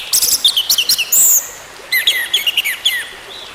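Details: Orange-headed thrush singing, used as a lure to restart a bird that has stopped singing. Quick bright chirps and a sustained high whistle, then a second run of downslurred whistled notes after a brief gap.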